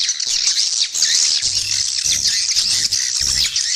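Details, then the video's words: Swiftlet lure call for attracting the birds and growing the population: a crowded chorus of high, squeaky chirps and short trills, over an intermittent low hum. "Suara Panggil Burung Walet - Terbukti Nyata Menambah Populasi"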